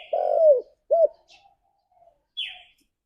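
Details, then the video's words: Part of a spotted dove's companion-calling phrase: a long drawn coo sliding downward, then a short arched coo. A brief higher descending chirp from another bird follows. "Suara Burung Tekukur Memanggil Temannya"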